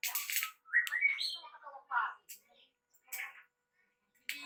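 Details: Young black-naped oriole (Javan kepodang), hand-raised from the nest and just out of its spotted juvenile plumage, learning the 'ploong' song: scratchy squawks and short chirps with a brief rising whistle, broken by gaps of silence.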